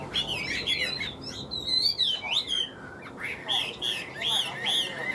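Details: Tame caged Chinese hwamei offered for sale, singing continuously: loud, varied whistled phrases that slide up and down, with quick trills and short pauses between bursts.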